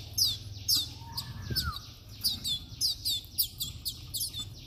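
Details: Two-month-old Timbrado canary being hand-fed supplementary powder food, giving sharp high downslurred chirps repeated about twice a second, with a faint lower whistled slide and some background noise.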